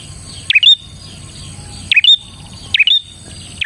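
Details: Lively Bar-winged prinia singing to lure other prinias: a bright, swooping chirp dipping then rising into a shrill whistle, given three times about 1.2 seconds apart over a faint low hum.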